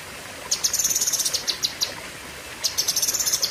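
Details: Lesser green leafbird (cucak kinoi) singing fierce 'tembakan' bursts in the long sharp 'pedes panjang' style: two rapid runs of high, thin, clipped notes, each run lasting over a second, separated by a short pause.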